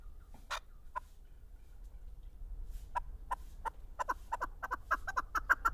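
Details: Chukar partridge kept in a cage, 2019: scattered single chuk notes give way to an accelerating series of sharp clucking notes that grow louder toward the end, with faint background hum.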